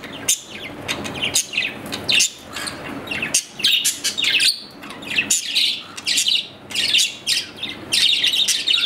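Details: Pet budgerigar, an Australian parrot kept indoors, delivering loud continuous warbling chatter of high squeaky chirps, clicks and buzzy notes in rapid bursts with brief pauses.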